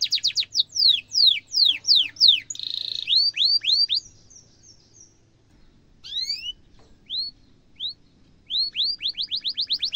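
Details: Trained-style canary song meant to teach young canaries: descending swept notes, a short buzzy section, then rising whistled notes that pause and build again into a quick rolling trill.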